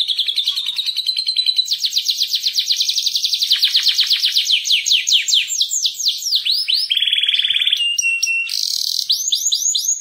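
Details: An Atlantic canary sings a loud, long unbroken rolling song of high trills and rapid chirps, shifting pace and pitch every second or so, with nothing else heard.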